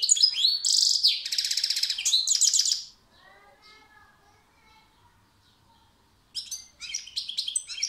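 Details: European goldfinch song: a loud, dense run of high twittering, buzzy notes for about three seconds, a quiet pause with faint softer calls, then a fresh burst of rapid tinkling phrases.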